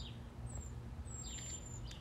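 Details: Cedar waxwings that have been eating strawberries in a Canadian yard give thin, very high, lisping whistles on a hot day, a short note and then a longer drawn-out one, over a steady low outdoor rumble.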